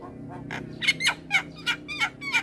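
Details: Harsh, nasal repeated notes from a Javan myna singing actively, a training recording to provoke other mynas; roughly six rasping calls, each with a brief whistled tone.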